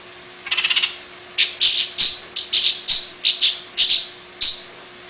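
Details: Long-tailed paradise whydah, the small long-tailed bird kept as a master singer, delivering its distinctive chattering: a brief lower rattle, then a run of about ten bright, high chirps at uneven intervals, with low background hum.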